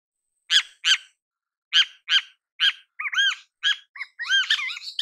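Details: Great kiskadee in its natural habitat: a series of loud, harsh, buzzy notes with strong overtones, spaced unevenly, followed by quicker arched, slurred notes toward the end.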